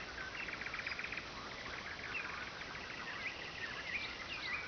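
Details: Nightingale singing by the Oka river, loud enough to keep people from sleeping; rapid pulsed trills repeated in quick bursts, followed by scattered higher whistled notes over steady background hiss.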